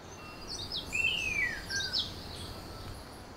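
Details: A Long-tailed Manakin in Costa Rican forest, part of a male display pair, gives one clear, slurred whistle gliding downward, likely a courtship display call, with thin high chirps before and after and soft forest hiss.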